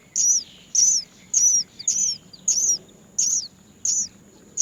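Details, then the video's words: Great myna nestlings, many together, begging as they wait to be fed by their mother; piercing high squeals that slide downward, repeated at fairly even intervals about every 0.6 seconds. "Many Great myna baby birds are waiting to be fed by their mother"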